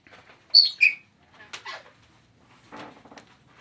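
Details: An African grey parrot on a farm gives two sharp, high whistles, then soft rustling and a brief raspy, speech-like chatter.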